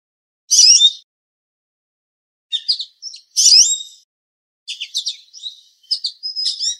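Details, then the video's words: An American goldfinch calls loudly from a small branch up in a tree in Southern Ontario, Canada, giving bright, high twittering chirps and thin sweet notes in short bursts with brief pauses. "American Goldfinch Call and Chirp"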